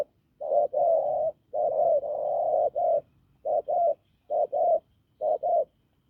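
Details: Wild-caught spotted dove with a hoarse, strong voice: loud, low coos, first in long drawn phrases, then in clipped paired notes spaced under a second apart.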